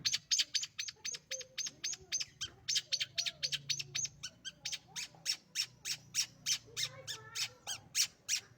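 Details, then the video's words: Pet long-tailed shrike in full, lively song: a fast, steady string of sharp high chattering notes about four per second, with soft lower warbles and a low hum behind. "cendet gacor"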